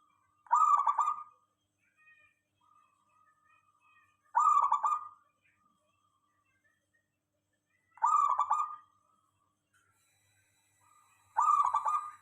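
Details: Local zebra dove song used to lure other doves into replying: four rolling, trilled coo phrases repeated roughly every four seconds, with quiet gaps and faint tones between.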